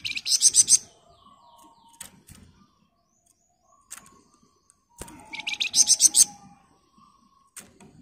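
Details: Flamboyan bird singing in a dense, rapid ngebren style, recorded as master audio for training other birds; two bursts of about eight quick buzzy pulsed notes, high and rasping, each lasting under a second, separated by faint clicks and soft chirps.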